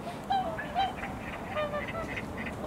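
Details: Whooper swan (Cygnus cygnus) wintering flock in Korea, found on wetlands and riversides: loud short bugling honks, several in quick succession from more than one bird, over steady background hiss.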